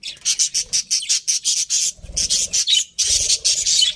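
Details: Pet budgies, a breeding pair, rasping chirps repeated in rapid pulses, broken by two short pauses, with faint low knocks beneath.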